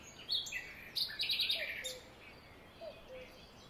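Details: Great tit at a garden nest box in spring 2020, while the female incubates eggs near hatching and the male brings her food: quick bursts of thin, high chirps and buzzy notes, then two soft lower whistles, over faint hiss.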